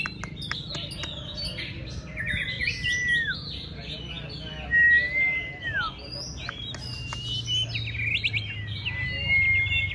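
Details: Contest-trained white-rumped shama singing solo: clear whistled phrases that slide and swoop downward, mixed with brief high twitters and chips, over a constant low background hum.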